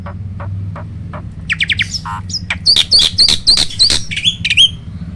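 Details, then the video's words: Hybrid starling, a cross of Asian pied starling and black-winged starling, singing roll tembak. Scattered clicks build into dense buzzy notes, then a string of rapid looping high notes, ending with one clear swooping whistle. "BURUNG JALAK HYBIRD || GURU VOKAL SUARA ROLL TEMBAK."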